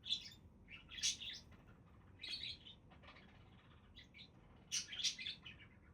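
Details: Budgies chattering in loud scratchy bursts of warbled chirps and squeaks, three main clusters with short gaps between them.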